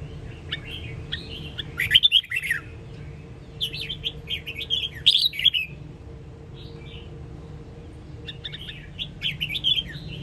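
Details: Cage-bird training song of a red-whiskered bulbul from Sông Kon, Quảng Nam: loud bursts of rich, fluty warbled phrases with sharp clicks, separated by short pauses, repeated about every two to three seconds, faint hum behind.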